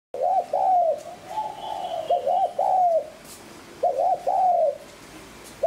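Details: Spotted dove cooing, played to lure and stimulate wild doves: low mellow phrases of two quick notes followed by a longer drawn coo, repeated with short gaps, plus faint background noise.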